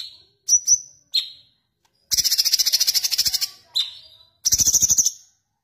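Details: Sooty-headed bulbul song variation: short sharp whistled notes, some falling in pitch, then two bursts of rapid, buzzy, high rolling trill (ngerol) separated by a single whistle.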